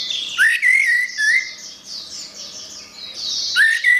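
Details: Orange-headed thrush in vigorous gacor singing, used as a training recording for songbirds. Loud clear whistles rise and slur near the start and end, over a steady background of high, buzzy, overlapping chirps.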